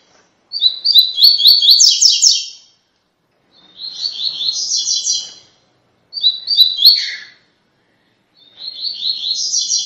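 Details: Rusty-collared seedeater song of the "tui tui" style, used for training captive birds: four bursts of rapid, repeated high chirped notes around two seconds long, separated by short silences, with one phrase dropping briefly lower at its end.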